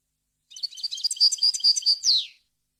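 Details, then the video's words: One short phrase of European goldfinch song in a wild-style repertoire, recorded cleanly for training young birds: quick liquid twitters rising to a bright burst, ending in a falling slurred note, with no other sounds. "غناء طائر الحسون ، صوت صافي وخالي من الاخطاء لتسميع الفراخ"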